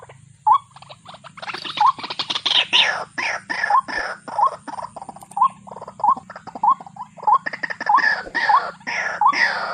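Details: Loud raucous, harsh calls overlap a waterhen's regularly repeated short rising notes, with a low hum running underneath.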